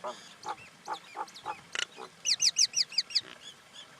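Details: Common myna giving a varied call sequence: low gurgling notes, a harsh rasp, then a fast run of about six loud, looping whistled notes repeated several times per second.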